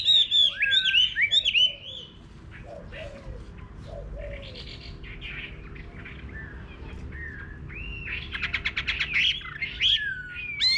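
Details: Chinese hwamei in a countryside garden: an opening flurry of loud, varied whistles with softer low slurred notes below, a quieter middle stretch with distant chirps, then a rapid buzzy trill and renewed whistling at the end.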